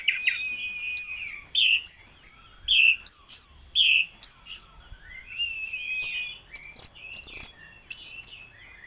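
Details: Orange-headed thrush in "raja patah" song style: a varied, lively run of clear whistled and slurred phrases, some rising and some falling, delivered in short bursts about every half second with brief pauses between them.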